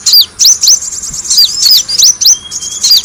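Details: Lure call of Van Hasselt's sunbird for attracting birds: quick, shrill chirps with hooked downward sweeps, tumbling rapidly several times a second, plus a faint thin whistle near the end.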